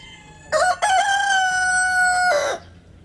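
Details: Rooster's full cock-a-doodle-doo: brief quiet, then two clipped rising notes followed by a strong, sustained, steady tone of about one and a half seconds that falls off abruptly, leaving near silence.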